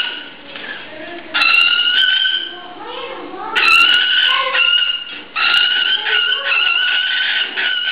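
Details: An adult cockatiel gives its quarrel and fear call, long, harsh, rasping screeches in three drawn-out bursts, each a second or more, with quieter chatter between them.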